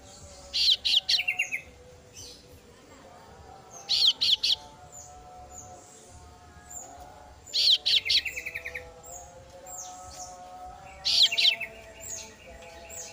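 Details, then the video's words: Female chick of the kasu-kasu bird calling its parent: four bursts of rapid, high chirping notes, each set roughly three and a half seconds apart, with a faint hum throughout. "suara anakan burung kasu kasu betina memangil induk nya"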